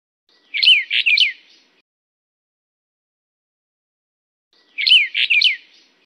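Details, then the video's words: Brown bullfinch, subspecies uchidae, endemic to Taiwan's mid and high mountain forests, calls with paired phrases of three quick, clear whistled notes sliding downward, spaced about four seconds apart in an otherwise quiet setting. "褐鷽(褐灰雀)/Brown Bullfinch"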